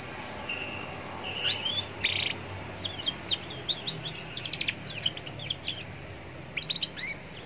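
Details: Young Atlantic canary singing against a roadside backdrop, a lure song meant to set other canaries singing; high rapid trills and quick rising and falling whistled notes come in bursts, with low traffic rumble underneath.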